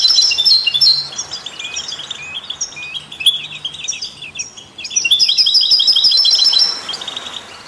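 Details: European goldfinch song, played to inspire other songbirds: a chattering twitter with varied chirps and short buzzes, softening midway, then a louder trilled passage before fading.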